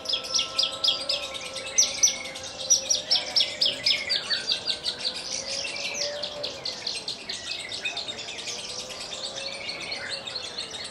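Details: Captive Horsfield's bush lark from Kulon Progo, a bird that hovers, lands on a perch stone, then sings Jambul style while vibrating its wings. It gives a fast run of sharp, high chirps that slows and fades into softer twittering.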